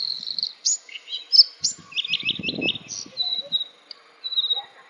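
A Bluethroat sings a varied, high run of ringing notes, quick buzzy triplets and thin whistles, with a brief low rustle partway through.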